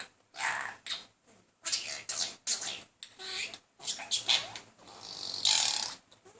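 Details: Male budgerigar chatting up a female in courtship, persistent but unsuccessful; bursts of scratchy, high warbling chatter with short pauses between phrases, ending in a loud buzzy squawk.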